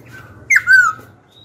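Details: Black-throated laughingthrush song used to provoke rival birds to fight and to train young birds: a brief sharp note, then a clear sustained whistle sliding slightly downward, over a faint low hum.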